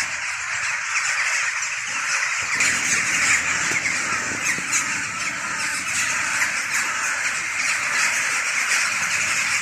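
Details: Pre-dawn flock of jackdaws, hooded crows and rooks sitting in trees and flying as a cloud, usually plentiful before frosts; constant clamour of many harsh squawking and cawing voices, dense and unbroken.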